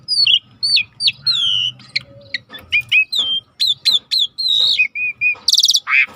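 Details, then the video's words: Rare starling song recorded over river sounds as tutoring material: a lively string of sharp upswept and downslurred whistles, short trills, several flat whistled notes, then a loud harsh buzz and a lower raspy call to finish. "Jalak Langka Masteran Alam Sungai | Deep Nature River Sound for Starling"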